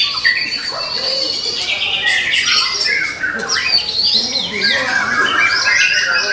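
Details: Caged young forest White-rumped shama singing a varied stream of whistled phrases, rapid trills and descending slurs with hardly a pause.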